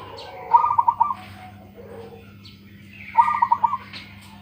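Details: Zebra dove of the local type, a kept bird with a strong voice, sings two brisk phrases about two and a half seconds apart, each a quick stuttering string of low, mellow coos, plus faint softer notes between.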